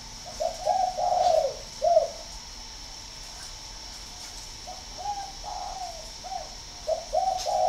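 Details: Spotted dove from northern Vietnam, a prized singing bird from a breeding facility. It gives repeated mellow cooing phrases: a cluster of soft hollow notes, a pause of about two seconds, then further coo series with a steady faint high hiss.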